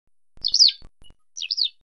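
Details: Eurasian skylark (Alauda arvensis) call: two liquid, rolling chirrups about a second apart, high and slurred up and down, with a few faint clicks between.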